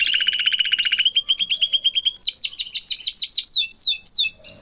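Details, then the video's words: Canary family of parents and chick, with a fast rattling trill that rises into a series of sweeping descending notes, slowing into separate chirps at the end. "canaries parents and chick bird"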